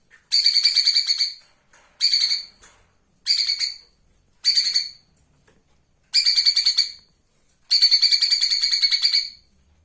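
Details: Flowerpecker singing as a live master for training cage birds: six separate high, buzzy, rapidly pulsed trills of under a second to nearly two seconds, spaced by short silences, in a quiet background.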